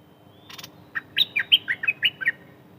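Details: Bird called นกดอกแตง in Thai giving a quick run of about eight high chirped notes, each a short dipping twitter, after a faint buzzy lead-in.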